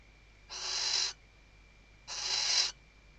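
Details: A female Western barn owl at her nest calls the male while stuffing the nest, recorded by webcam at Riet Vell Nature Reserve, Ebro Delta, Spain, in the 2023 season: two harsh, hissing screeches about half a second each, roughly 1.5 seconds apart, over a faint steady tone.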